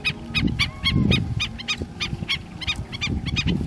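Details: Killdeer on the coast of Piura, Peru: a rapid series of short, sharp, ringing notes, several each second, in an irregular rhythm, over a low rumble of wind or handling noise.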